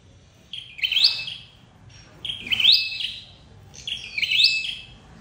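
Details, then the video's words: Red-headed flowerpecker call used to lure birds into traps; three bright, high phrases about every one and a half seconds, each a layered level tone broken by a steep upward flick. "Tiếng chim sâu đầu đỏ đi bẫy"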